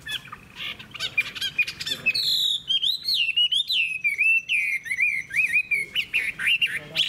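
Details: Caged wild-caught adult Chinese hwamei, long-bodied with a fig-leaf tail, sings a rich run of loud whistles, wavering and sliding notes in short bursts close together, after a brief scratchy opening.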